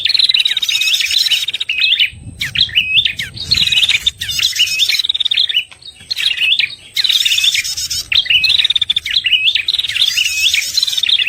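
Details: Prenjak (prinia) lure call for trapping red-headed birds: bursts of rapid high trills with buzzy overtones and sharp rising chirps. Each burst lasts one to two seconds, separated by short pauses.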